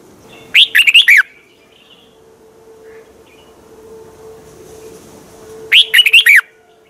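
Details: Red-whiskered bulbul song from Thailand, a recording played to stimulate caged birds: two short bright phrases of rapid warbled, bubbling notes about five seconds apart, with a steady low hum between them.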